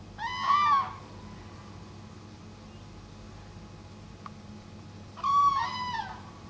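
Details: Common crane near Reinsvoll, Norway, in July 2015, giving two loud, rolling trumpeted calls about five seconds apart, each roughly a second long, over a quiet background hum.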